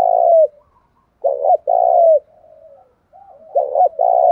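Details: Lure spotted dove giving thúc gù coos aimed at wild doves. Deep rolling coos come in pairs of short and long notes. A soft, drawn, falling coo links the phrases, and the sound is clean.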